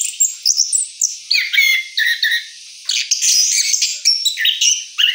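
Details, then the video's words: After moulting, an orange-headed thrush rolls through its song in bursts: high twittering phrases, downslurred whistles and squeaky notes separated by short gaps. "Anis Kembang Ngeroll Setelah Mabung"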